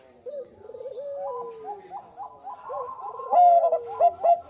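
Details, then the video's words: Lure recording of an actively singing Bangkok zebra dove: low rolling, warbled coos with slow falling glides, building to louder clipped, repeated coo notes in the final second and a half. "SUARA PERKUTUT BANGKOK GACOR AMPUH UNTUK PANCINGAN"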